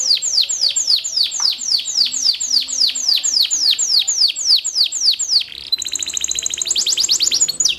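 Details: Canary in song, delivering a steady series of high downward-slurred whistled notes about four per second, then switching to a rapid high trill; faint low hum behind.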